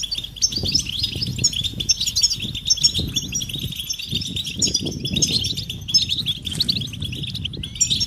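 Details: Chorus of European goldfinches, readiness and mating calls to stimulate male song: sustained high twittering with sharp chirps and short trills, over intermittent low thumping noise.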